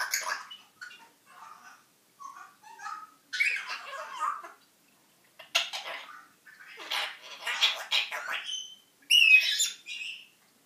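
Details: Recently arrived pet African grey parrot talking and singing indoors: long stretch of mumbled speech-like chatter with clicks and rasps, rising to louder whistled notes near the end.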